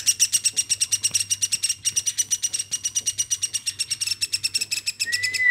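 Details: Captive woodpecker hand-raised from a chick, repeating rasping buzzy notes in a rapid even rhythm, about three per second, with a clear whistle beginning just before the end.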